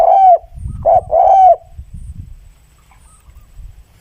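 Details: Spotted dove cooing clearly at the start, a long falling coo, then a short coo and another long arched coo, followed by two seconds of quiet low background rumble.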